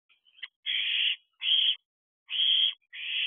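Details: Owlets perched in an owl box at night, June, just after midnight: loud, harsh, breathy hissing screeches, each about half a second long, given in bursts with short pauses.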